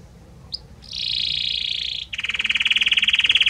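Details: Belgian canary song of many different notes in a harmonious voice, shifting gradually from note to note: a short chirp, then a long buzzy rolled tone, then a lower, rapid pulsed trill.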